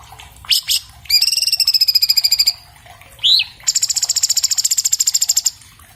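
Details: Orange-bellied leafbird giving its song for training cage birds, captured on an iPhone 7 Plus: brief chips, a long sustained whistle over a rapid trill, a single hooked whistle, then another long buzzy trill.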